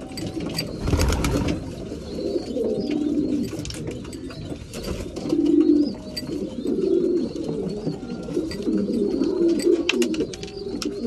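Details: Breeding pigeons during mealtime inside a loft: steady murmuring coos from several birds, a burst of wing flutter or scuffling near the start, and continuous background rustle.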